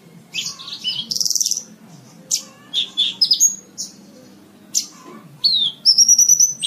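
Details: Horsfield's bush lark song as a tutor track for caged birds: busy mix of buzzy rattling bursts, sharp high chirps and slurred whistles, ending in a bright rapid trill of repeated notes.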